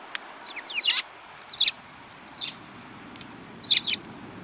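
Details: Group of sparrows, one yellow-beaked, recorded 7 March 2018; brisk high chirps and short twittering notes at uneven intervals, some doubled, above quiet low background noise.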